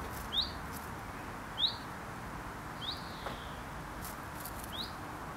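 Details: Common chiffchaff nesting in a UK garden, giving its alarm call during breeding: short, quick rising "who it?" notes, four of them at intervals of roughly a second and a half, over a soft, steady background hiss.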